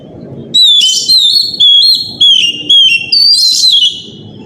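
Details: Morning lure song of an Oriental magpie-robin, played to prompt other magpie-robins and fledglings to answer. Strong, ringing whistles dip and slide in short repeated phrases, roughly two a second, above a dull pulsing rumble.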